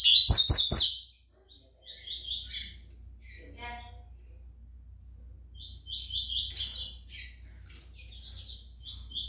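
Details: Brown-plumaged double-collared seedeater singing: after three sharp clicks, short buzzy trills high in pitch come in bursts separated by pauses, with a faint low hum underneath.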